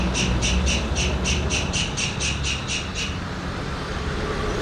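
A white-throated kingfisher gives a harsh, rattling series of about eleven screechy notes, roughly four per second for three seconds, over a steady low traffic rumble.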